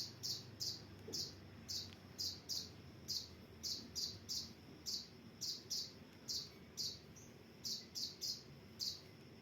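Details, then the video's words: Captive sunbird, called kolibri ninja, in a training recording for caged songbirds: short high chirps in quick pairs and clusters, repeated about every half second, bright and sharp, over faint low background hum. "Masteran Kolibri Ninja"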